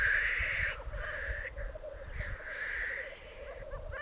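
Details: Black grouse at a display arena in the Piedmont Alps. A low bubbling chorus continues under two breathy hissing phrases, with low thumping noise and a few short chirps near the end.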